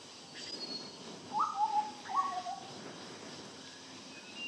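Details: Large scimitar-babbler calling while standing still: two short, hollow whistled phrases, each a quick upward note followed by a lower dropping one, fairly faint over a hissing background.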